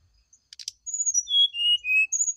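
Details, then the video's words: A brief rattle, then a brown-chested jungle flycatcher's morning phrase of sweet whistled notes sliding down in steps and ending on a higher note. The recording serves as a lure to get another bird to reply. "TERAPI SRDC DI PAGI HARI ,PANCINGAB SRDC NYULING DI PAGI HARI ,GAK NYAUT GAK MUNGKIN.."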